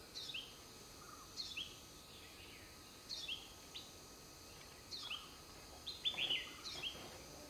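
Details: A mother sunbird tending her nest gives short, high, thin descending notes in small bursts about every one to two seconds, with a brief twittering flurry near the end over steady background hiss.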